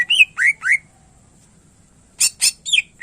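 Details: Greater green leafbird giving loud clear whistles: three quick upward-curving notes, a pause, then two harsh broadband bursts and a falling slur.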